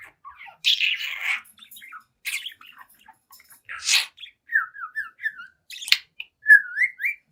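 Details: Seven-month-old budgie chatting and singing at a mirror: harsh buzzy squawks at first, then a series of clear, whistled, rising-and-falling chirps and a closing slurred whistle.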